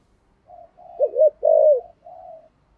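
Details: Decoy spotted dove in the 'thổ' voice: soft humming coo, then a quavering double note, a strong rolling coo and a gentle trailing coo, all low and hollow.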